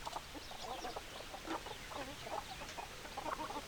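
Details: A crowded flock of hens gives rapid, overlapping clucks and low nasal notes, a busy continuous chatter with occasional sharper calls.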